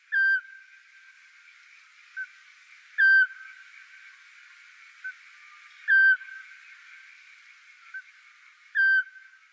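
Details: A Eurasian scops owl gives a short, clear, monotone whistled note about every three seconds, with fainter similar notes between, over soft hiss; in Valais, Switzerland, males sing on spring nights to mark territory and females duet.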